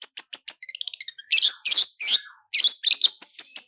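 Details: Long-tailed shrike singing a lure song in roll speed style, full of fill-in phrases: a quick series of high ticking notes accelerating into loud harsh buzzy bursts, then evenly spaced sharp chips.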